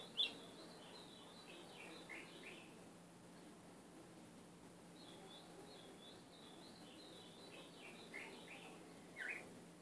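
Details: Ultramarine grosbeak singing, played to train a caged capped seedeater. Two separate runs of quick, sweet, warbled high notes ripple downward, with quiet gaps between them, a few sharp clicks, and a faint steady hum.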